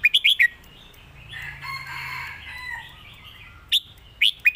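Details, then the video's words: Master song of a competition red-whiskered bulbul: four quick, loud, ringing notes, a murmur of softer chirping birds behind, then a few more sharp whistled notes at the close. "เพลงแม่บท นกแข่ง#เสียงนกกรงหัวจุก"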